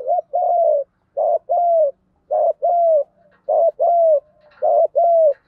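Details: Spotted dove decoy voice in the 'giọng đồng' style, a continuous fighting coo used to provoke and lure wild doves: mellow phrases of a short coo followed by a longer slurred coo, repeated about every second over silence.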